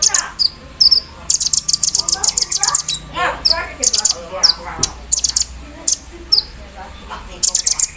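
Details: Javan sunbird singing in the morning after being set out in the dew, in rapid embroidery-machine style: bursts of very high, thin chirps and trills, densely repeated, with low human voices murmuring in the background.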